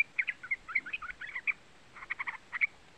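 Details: Lure call of a young yellow-vented bulbul (trucukan) meant to stir other birds into singing; uneven clusters of bright, chirpy notes, some slurred, with a short pause before a final cluster of chips.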